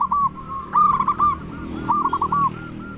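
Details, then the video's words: Local zebra dove singing to provoke replies from other doves: a short cooing note, a loud rolling burst, then a string of soft arched notes fading out. "Perkutut Lokal Gacor Suara Besar Pancingan Burung Perkutut Bikin Langsung Nyaut"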